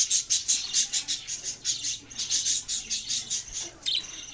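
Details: Budgerigars chirping: a steady stream of high, thin chirps repeats several times a second, with a brief pause near the end before one more sharp burst.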